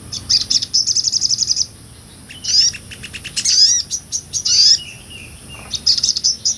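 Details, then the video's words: Sogon, a nectar-eating sunbird, in lively 'ngobra' song used as tutor material: a fast high trill, a pause, then varied squeaky upslurred notes and chattering phrases, ending in another bright, very high trill. "MASTERAN SOGON NGOBRA"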